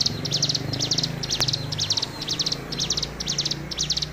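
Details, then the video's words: Hill prinia, tame and singing actively: a quick, regular string of high, sharp buzzy stutters, roughly eight bursts in four seconds, with one brief click and low background hum. "Suara Ciblek Gunung Gacor"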